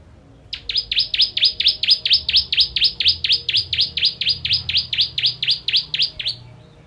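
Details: Ciblek kristal, or bar-winged prinia, singing a long 'tembakan' burst used to train other songbirds: some twenty-three sharp, evenly spaced chirps, each dropping then rising, delivered at a steady, fast beat against a quiet background.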